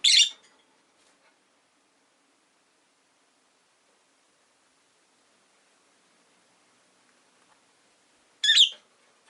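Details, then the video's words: Two short, harsh chirps from caged rosy-faced lovebirds, five birds kept beside a window, about eight seconds apart with near silence between them. "Lovebird Chirping Sounds"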